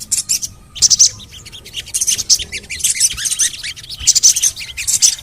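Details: Crimson sunbird (sogon) in an audio for prompting lazy sogon to sing: high, thin chirps and twittering notes in clustered bursts, short gaps between phrases, a quiet background.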